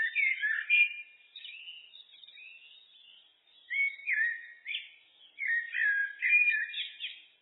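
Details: Turdus merula in song: flowing whistled phrases with gliding notes, a quieter twittering middle section, then several loud fluty motifs repeated in a varied sequence.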